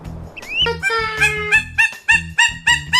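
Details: Peruvian thick-knee (Burhinus superciliaris), call.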